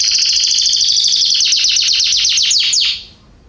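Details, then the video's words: A loud canary trill recorded in a garden in September 2020, rapid pulsed notes that gradually slow and sweep downward before stopping abruptly, leaving quiet. "Canaries singing in my garden September 2020"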